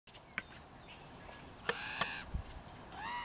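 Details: Common Raven fledglings calling in trees near Strasbourg, Saskatchewan, on June 28 in the morning while two adults bring food to two young; harsh, harmonic-rich cries with sharp clicks and a rising call at the end.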